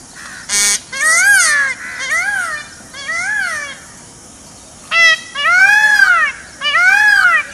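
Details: Peacock in forest utters a sequence of wailing, arched cries of varying length, some short and some drawn out, over steady background hiss, with a sharp click near the start.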